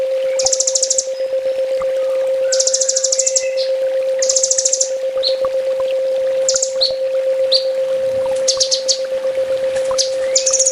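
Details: Sunbird master recording in full tembak style for training cage birds: dense, harsh high trill bursts about a second long, separated by scattered thin chips, over a continuous low hum.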